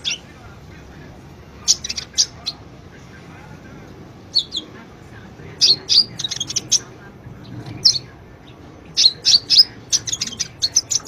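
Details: Konin sunbird (kolibri ninja) chattering as a master for cage-bird training: scattered high chirps early on, building into dense clusters of sharp twitters in the last few seconds.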